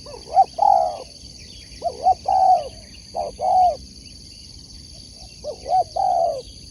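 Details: Spotted dove kept as a competition sport dove. It repeats a cooing phrase four times: two short notes, then a longer, slurred coo. A steady high electronic whine runs throughout.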